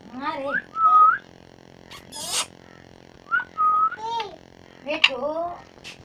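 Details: Talking parrot alternating babbled speech-like syllables with clear rising whistles, repeated in two phrases, plus a short raspy screech.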